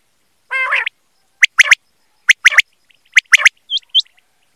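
A quail gives three quick, sharp three-note phrases, 'whit wit-wit', about a second apart, after an opening harsh, buzzy note and before two short rising whistles.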